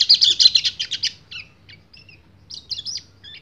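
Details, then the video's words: Male white-eye singing to draw a female in breeding condition: a fast burst of high, buzzy chattering notes for about a second, then scattered thin twitters and short whistled phrases. "PLECI GACOR NGEBREN - KECIAL KUNING BIRAHI MEMANGGIL BETINA"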